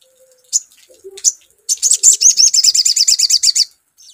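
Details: Sogon lure recording: two sharp introductory chirps precede a rapid, even string of shrill, buzzy notes lasting about two seconds, then a faint final chirp.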